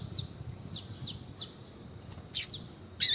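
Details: Female Double-collared seedeater calling to prompt a male to sing: well-spaced thin, high downslurred chirps, then two louder, rasping high notes at the close.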